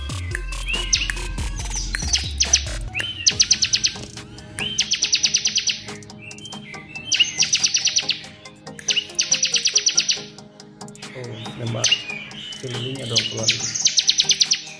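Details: A tame Bar-winged Prinia from Cililin sings high, fast, buzzy trilled bursts about every two seconds. These are mixed with chirped phrases copied from other birds, including prenjak, over a low hum.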